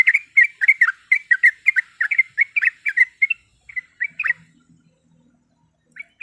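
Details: Female yellow-vented bulbul calling to a male, used to provoke a rival: a rapid run of bubbly, chattering notes repeated for about four seconds, then a few scattered notes after a pause, with a faint low hum in the background.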